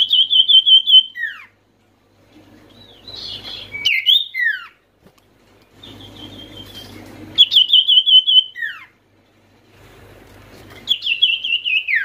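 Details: Oriental white-eye lure calls meant to make silent white-eyes answer: repeated rapid high trills ending in downward swoops, roughly every three to four seconds, with soft chatter and slight rustling between phrases.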